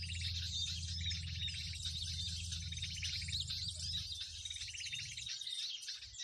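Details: Crowded bird chatter played as a lure for catching birds on bird lime: many high twittering voices and buzzy trill bursts overlapping continuously, over a low droning hum that fades near the end.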